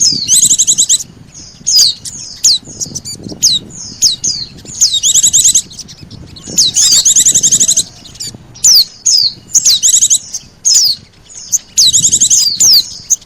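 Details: Lure call of Oriental white-eye mixed with sogon, meant to bring birds close: scattered high down-slurred whistles and occasional short bursts of rapid trilling chips over quiet background.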